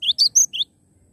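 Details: Cinereous tit, a live singing bird: four quick notes, two rising chirps framing a bright high whistle, ending abruptly in quiet.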